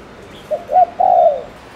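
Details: Ninh Thuận spotted dove kept as a lure to provoke males, delivering one brisk phrase: a short note, a higher note, then a prolonged smooth falling coo.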